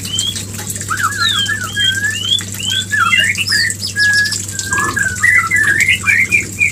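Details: White-rumped shama mating call, used to bring a female into breeding condition: a fast run of varied clear whistles, short rising and falling slurs between mid and high pitch, delivered continuously over a steady low electrical hum.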